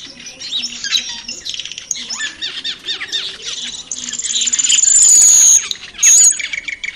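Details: Cucak keling in the wild: rapid scratchy chatter and harsh squeaks, then a loud, thin, sustained high whistle near the end.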